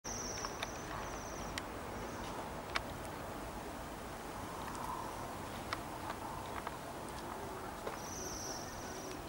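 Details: Waxwings newly arrived in Bryansk city in December 2023, giving faint, thin, high ringing trills in two short bursts, at the start and near the end, over steady low urban rumble and scattered clicks.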